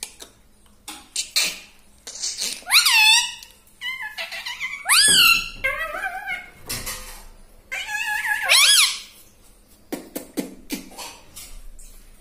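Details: Pet parrot talking like a human in a small room: a run of clicks and squeaky, nasal, speech-like phrases rising and falling, in several bursts over about twelve seconds, ending in scattered taps.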